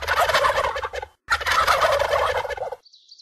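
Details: Two loud gobbles from a turkey in quick succession, each a rough gurgling rattle over a second long, separated by a brief silence, with a faint high buzz at the end.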